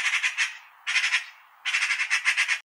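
A magpie gives harsh, rattling chatter in three quick bursts.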